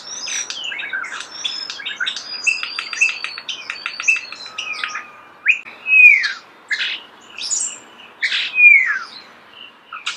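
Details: Close natural recording of a starling's song: a rapid run of clicks and high chips, then slurred whistles that sweep downward, repeated with short gaps.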